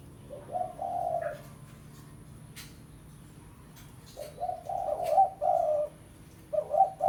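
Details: Spotted dove cooing to call a rival, used as a lure: short groups of low, hollow coos, one phrase early and a longer run of several coos later, over a faint steady background hum.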